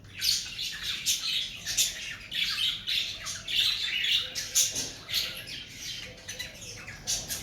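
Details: Cockatiel flock in breeding season, rapid rasping squawks repeated almost twice a second, overlapping into a busy, noisy chorus.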